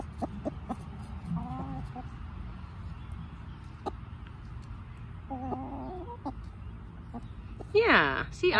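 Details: Chicken in a backyard flock giving short clucks and a few harmonic notes, then a loud burst of falling, sweeping squawks near the end, with a person's voice nearby.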